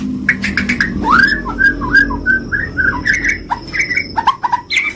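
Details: White-rumped shama, a champion-grade songbird, giving soft mellow whistled phrases and short slurred notes, some rising, with a low hum underneath.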